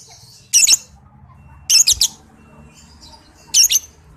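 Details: Lovebird sound used to train other lovebirds: three loud, buzzy, shrill chatter bursts about a second apart, each broken into rapid pulses, over quiet low background noise.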